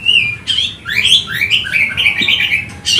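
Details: Oriental magpie-robin, emotional and searching for a rival, singing a rapid series of descending and rising slurred whistles, closely spaced, over a faint background murmur.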